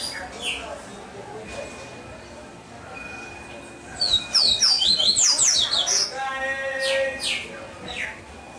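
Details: Captive double-collared seedeater delivers a brisk phrase of bright, high, slurred whistles lasting over a second, amid weaker chirps, a steady faint tone and low room noise.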